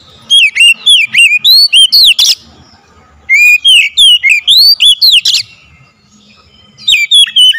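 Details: Oriental magpie-robin song used as a lure to make other birds sing: two long runs of loud, evenly spaced whistled notes, each curving up then down, separated by a one-second pause, then a shorter final burst.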